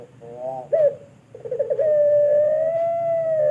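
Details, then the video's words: Pelung turtle dove, a long call kept for training other birds in Indonesia: a low fluttering coo, a brief upturned note, then one long steady drawn-out coo sustained for about two seconds. "Puter Pelung Suara Panjang Pass Banget Buat Masteran"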